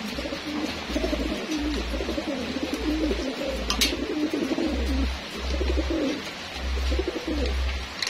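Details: Homing pigeons raised for racing coo throughout feeding time, a dense run of warbling, overlapping coos over a loud low droning hum, with a sharp click midway.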